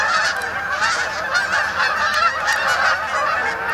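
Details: Arriving Canada geese settling onto the main pond at Sapsucker Woods, Ithaca, for the night in late October; many birds honking at once, a thick rolling chorus with frequent punctuating calls.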